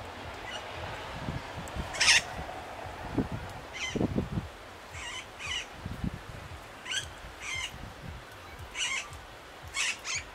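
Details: Austral parakeet in Laguna Parrillar National Reserve, Magallanes Region, Chile, giving harsh, grating screeches in short bursts roughly every one to two seconds, some doubled, over a low rumbling background.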